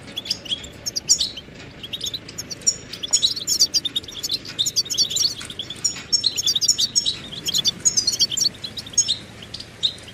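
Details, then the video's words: A goldfinch pours out lively, high-pitched twittering song, clipped chirps and thin trills running almost without pause against a noticeable hiss. "Amplifying the Goldfinch's Voice"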